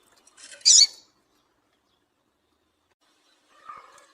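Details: Female double-collared seedeater calling to stir males into singing: a single sharp, very high squeaky chip near the start, then silence and a faint, lower rustling murmur near the end.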